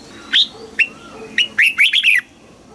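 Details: Contest singing from a caged red-whiskered bulbul in song training: three spaced, sharp whistled notes lead into a fast, rolling sequence of four or five warbled notes, ending the phrase abruptly against quiet background.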